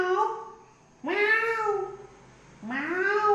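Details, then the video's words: Pet Indian ringneck (rose-ringed parakeet) mimicking a cat: two drawn-out, nasal meows, each about a second long, rise and then fall about a second and a half apart. "Talking Parrot Natural Sounds/Voices"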